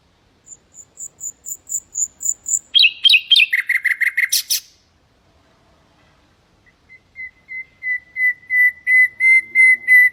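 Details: Common nightingale singing, recorded for training goldfinches and canaries: thin high piping notes, then a loud rapid trill, a pause, and a slow series of pure whistles swelling steadily louder.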